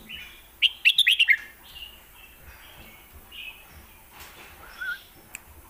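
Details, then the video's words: Thai caged red-whiskered bulbul with lak wai and mae bot song styles: one sharp note, then a fast run of loud, clear, bubbling whistles, followed by softer intermittent phrases and a faint tick. "ที่เด็ดทั้งคู่"ลากหวายVSแม่บท(Bulbul bird Thailand)"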